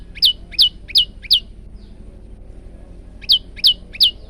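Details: Training recording of a male prinia: four quick descending whistled notes, a pause of almost two seconds, then three more of the same falling notes.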